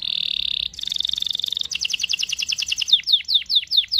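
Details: Canary with a long rolling song meant to coach a young canary: a flat buzzing tone, a shimmering trill, a rapid doubled rattle, then five sharp descending whistles.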